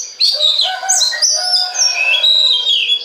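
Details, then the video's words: Kacer, the Oriental magpie-robin, singing a lure song meant to set other kacer off: continuous rich warbling with rising and falling whistles, sharp upslurred notes and scratchy trills, no other sounds. "DI JAMIN BIKIN KACER LAIN AUTO GACOR DENGAN PANCINGAN BURUNG KACER INI"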